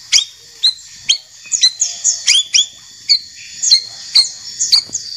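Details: White-rumped shama, champion or young spotted-plumage bird: irregular sharp upslurred chip notes, some doubled, with short high whistled twitters between, about two notes per second.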